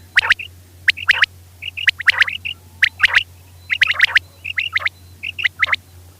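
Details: Female common quail call used as a hunting lure: crisp, whip-like notes grouped in pairs and triplets, repeated roughly once a second, with a faint steady hum beneath.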